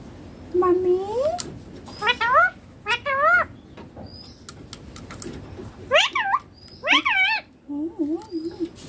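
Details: A baby ringneck parrot speaks Hindi words like "papa" and "mummy": a run of about eight short, wavering, nasal syllables in loose pairs, pitch bending up and down, across nine seconds indoors.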